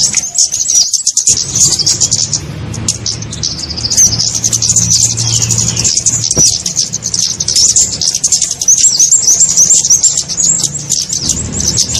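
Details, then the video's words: Trapping lure of kemade: after a quiet first second, a sustained mass of thin, very high chirps and quick rising whistles, dense and unbroken, over a low hum. "SUARA PIKAT burung kemade"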